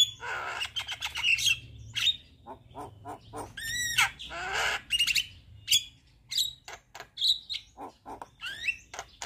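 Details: Javan myna singing persistently, nodding its head, with a full mix of filler phrases: harsh rasping bursts, brief whistles and a stacked, nasal honking note, all loud and jumbled.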